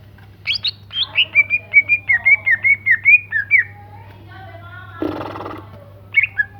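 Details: Greater green leafbird in lively song: a rapid series of clear whistled notes, slurred and wavering, repeated about twice a second, then a brief burst of noise and a few more sharp notes; steady low hum behind.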